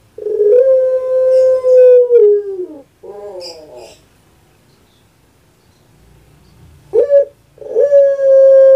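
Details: Caged puter pelung dove in Indonesia delivering its coo. A long level tone falls off, then a brief gurgling note. After a silent pause a sharp note starts a new sustained tone.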